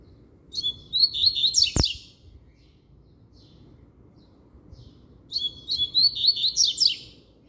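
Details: Captive double-collared seedeater singing strongly: two quick phrases of bright, warbled and trilled notes, each about a second and a half long, separated by a long quiet gap. A sharp click falls at the end of the first phrase.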